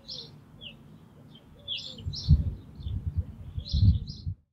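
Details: Brambling calling/singing at Green Moor on 24 March 2019, giving short, high chirping calls, a few each second in loose bursts, over a steady low rumble of wind or traffic.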